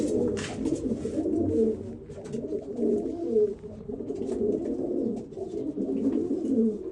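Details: Several Old German Owl pigeons keep up a continuous low, warbling coo chorus indoors, with occasional clicks and taps.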